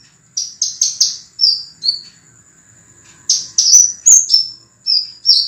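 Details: Scarlet minivet singing on a training recording for cage birds, delivering rapid clear whistles and short downslurred notes in two dense bursts with a brief pause between; a thin constant high tone lingers underneath.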